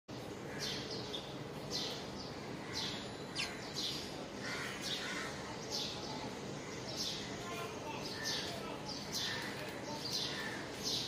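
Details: Sparrow chirping: short, sharp, bright chirps repeated roughly every half second to one second through the whole stretch, over a steady low rumble of background noise.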